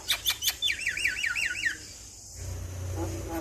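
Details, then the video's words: Male Javan myna master recording for triggering song: a few loud clicks, then a quick series of wavering whistled notes, followed by quieter background sounds. "Masteran jalak Kebo jantan Suaranya Bikin Burung jalak Anda Langsung Bunyi"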